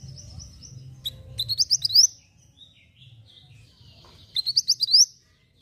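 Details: Javan white-eye song meant for tutoring caged birds: two short bursts of rapid, rising high twitters, each of five or six bright notes, separated by a pause with faint thin calls and a low background hum.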